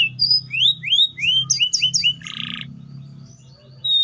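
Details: Canary singing a varied phrase of short rising whistled slurs, a few quick upward sweeps, then a buzzy harsh rattle and a fainter trailing note, with a steady low hum underneath.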